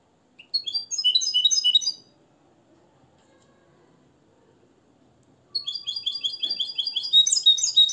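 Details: A Moroccan European goldfinch, bred from the nest and tutored in limpio song, sings a short twittering phrase, falls silent for several seconds, then resumes with rapid repeated high notes building into a jangling trill.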